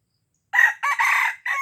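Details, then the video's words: Red junglefowl from Aceh used to lure wild junglefowl: a loud, harsh crow in three to four bursts, a short opening note, then a longer sustained middle phrase and a falling final note, on a silent background. "Ayam Hutan Aceh # Pikat Ayam Hutan Ori"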